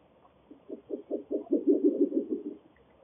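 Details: A breeding pair of Spectacled Owls in Guanacaste, Costa Rica, duet in a low, hollow series of knocking hoots that speed up and overlap, then fade, against a quiet background.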